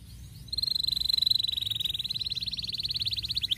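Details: Canary song played to stimulate young canaries to sing: after a quiet start, a long fast trill of rapid notes repeated about four times a second, steady and high, slightly falling near the end.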